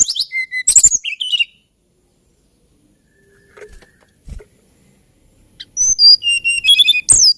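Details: Hill blue flycatcher singing two bursts of high, sweet whistled phrases, mixing steady pure notes with quick trills and slurred upward notes, separated by a few seconds of near silence.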